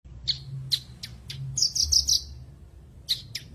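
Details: Branjangan, a caged songbird, in a recording meant to bring back singing after moult or stress; sharp high chirps spaced apart, then a quick run of four buzzy trilled notes, with a faint low hum behind.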